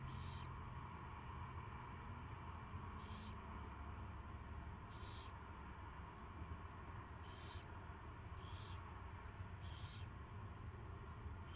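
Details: Owlet being fed for the first time, live feed, afternoon of 24 February 2016; six short thin high peeps at uneven gaps of one to two seconds above a heavy low hum.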